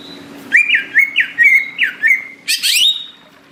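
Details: Greater green leafbird from tropical forest, singing hard: five quick downslurred whistles flattening into a steady tone, then a short harsh buzzy burst trailing into a high whistle, over a faint low hum.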